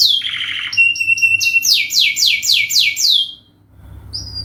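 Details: Canary in full song, played as a lure for other birds: buzzy trill, a thin held whistle, then rhythmic descending notes that stop abruptly, followed by a brief pause and a short high whistle.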